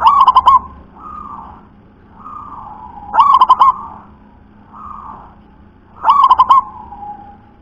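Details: Wild local perkutut, the zebra dove, gives three deep trilled coo phrases about three seconds apart, each a quick stutter of pulsed notes, with softer drawn-out coos from another dove in between.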